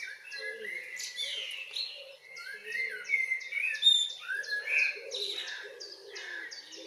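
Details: Evening song of a common blackbird, June, Northwest Zealand, Denmark: rich, fluting warbled phrases rolling up and down, loudest mid-clip, with thin high descending notes from other birds behind.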